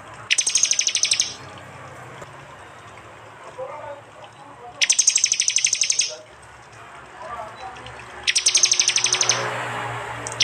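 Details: Three loud, buzzy high trills of rapidly repeated notes, each about a second long and a few seconds apart: prinia 'tembakan' song from an East Java mix of prenjak and jali calls, phone recorded, over steady low hum.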